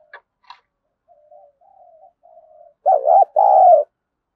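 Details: Spotted dove cooing in the thúc gù and gáy style, used for training decoy birds: two brief clicks, soft low murmured coos, then two loud, wavering hooted notes, the second longer and flatter.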